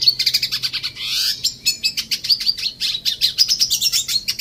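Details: Red siskin kept in an aviary, singing a quick run of high chirps, buzzes and trills with a short rising whistle early on.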